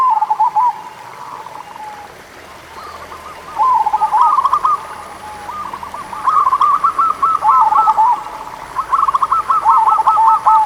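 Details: Lure recording of a local zebra dove to prompt lazy doves into song: several phrases of quick staccato coos tumbling into trilled runs, separated by pauses of a second or two, over steady faint hiss.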